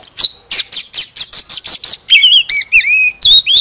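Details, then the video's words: Oriental magpie-robin sings in display as a decoy bird: a rapid string of about ten clear, high whistled notes, then longer, wavering, fluty phrases. "Chòe than hót xòe II chòe than mồi CỰC HAY"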